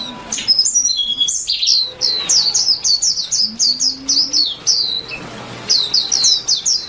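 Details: White-eye singing chirpily in a quick, twittering run of high, down-slurred notes, repeated several times a second. The song opens with a jumbled burst, and faint low hums sound underneath.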